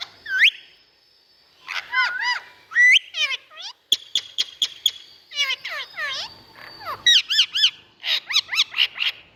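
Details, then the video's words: Captive Indian ringneck parakeet chattering loudly: rapid series of harsh, sweeping, nasal squawks and clicks, some in quick bursts of four or five, filling the whole stretch. "Indian Parrot Sounds Noise"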